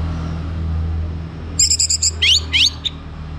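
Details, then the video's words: Orange-headed thrush song played in the morning to stimulate other birds to sing: a short burst of bright, rapid repeated chirps followed by two upward-sweeping whistled notes, over a low hum of traffic. "Kembali Bunyi Dengar Pancingan PAGI HARI 99% Efektif bikin ANIS MERAH GACOR"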